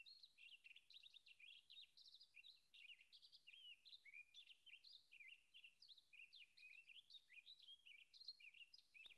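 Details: A Townsend's Solitaire pours out a 21-second unbroken run of bright, high warbles and quick varied phrases, mimicking Cassin's finch, Cassin's vireo and western tanager, with faint background hiss.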